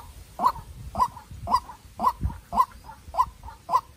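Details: Captive-bred young decoy White-breasted waterhen locked in a tense contest with a wild waterhen, giving seven loud throaty croaks spaced about half a second apart, each followed by a fainter after-note.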